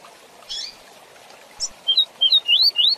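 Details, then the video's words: Double-collared seedeater song in the fast 'tui tui zel zel' style, used to teach young seedeaters and papa-capim to sing: faint buzzy notes, then a quick run of five high rising whistled slurs near the end. "Canto Tui Tui Zel Zel Rápido Para Encarte de Coleiros e Papacapim"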